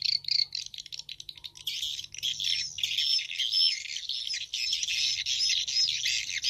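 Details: Swiftlet-house lure track, described as a contest-style 'Battle 2020' sound, pairing the 'Bulan Madu' and 'Black Phoenix' calls in stereo. Rapid high chirping and twittering run without pause, with a faint low hum underneath.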